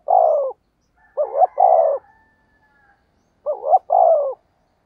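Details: Spotted dove giving the lure coo used to draw in wild doves: three low phrases, each a quick wavering double note then a longer falling coo, separated by pauses of about a second.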